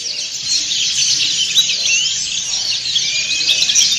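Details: Many white-eyes of the dakun and montanus types singing together in a ngriwik chorus: a dense, continuous wash of high, thin chirps and twittering trills with no pause, some faint low hum underneath.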